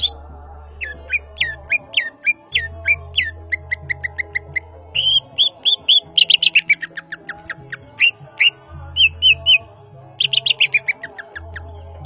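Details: Greater green leafbird from Java pouring out rapid repeated chirps and slurred whistles, about four per second, in shifting patterns over a continuous backdrop of music.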